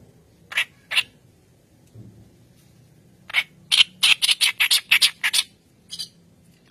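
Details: White-browed reed warbler singing as a lure for training: two isolated harsh notes, a pause, then a quick series of about ten loud, raspy, chattering notes.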